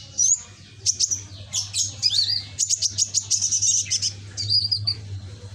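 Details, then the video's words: Red-backed greenish sunbird, young and kept in a cage, sings lively strings of thin, high tweets and buzzy trills in fast sequence, a steady low hum in the background. "Burung Kolibri ninja punggung merah ijoan gacor"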